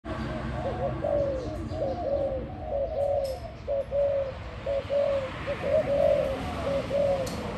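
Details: Spotted dove singing: a series of soft, hollow coos, each phrase a short rising-falling cluster of notes, repeated roughly once a second over a low rumbling background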